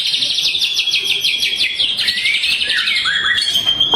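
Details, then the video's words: Shama song meant to rile up rivals: a fast run of repeated high chirping notes followed by sliding, lower whistled phrases, over a constant background hiss. "PANCINGAN SUARA MURAI BATU YANG BIKIN LAWAN EMOSI"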